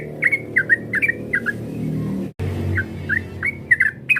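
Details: Yellow-vented bulbul call used to provoke a rival into singing: short, bright, slurred whistled notes repeated in quick uneven pairs, with a brief silent break midway and a low background hum.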